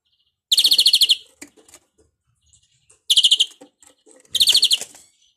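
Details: European greenfinch with a faulty, bad-sounding song: three rapid, loud rattling trills of evenly pulsed notes, each about half a second long, separated by soft scattered chips.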